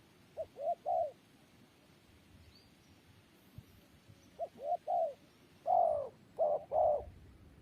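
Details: Spotted dove giving three-part coo phrases: two short notes rising into a longer, fuller coo. Three phrases, the last one louder and closer. Quiet background.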